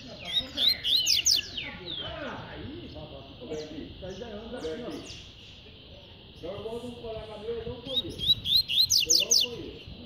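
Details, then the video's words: Tui-tui style song from a spirited, fast double-collared seedeater. Rapid high trilled phrases open and close the stretch, with sharp down-slurred whistles between and lower warbled sounds in the background. "COLEIRO TUI TUI"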